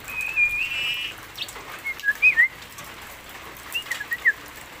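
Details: Javan myna making assorted sounds: a held, steady whistle opening, then scattered short chirps and flicked whistles, a louder pair in the middle and a quick trio near the end, with light hiss behind.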